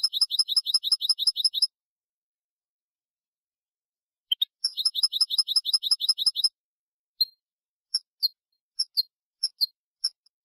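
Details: Goldfinch (European) in Málaga singing style, 2022/2023 tutor recording for young birds: two rapid, evenly repeated bursts of bright metallic notes, about nine per second, followed by isolated high chips.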